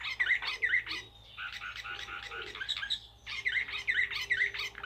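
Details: Blue canary of Serbian Slavujar song, giving bursts of buzzy repeated syllables, a brief pause, then the rapid pattern resumes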